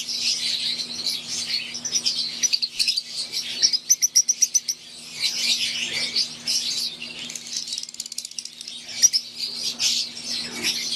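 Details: Green wild-type Fischer's lovebirds sharing an aviary with Euwing lovebirds, busy high-pitched chirping from many birds, a fast ticking trill near the fourth second, then quieter chatter; a low mechanical hum runs throughout.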